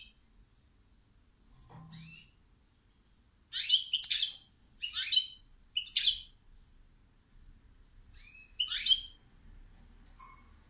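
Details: European goldfinch song: a soft opening note, then three loud, buzzy, tinkling bursts in quick succession, a pause, and one more twittering burst near the end. The background is silent.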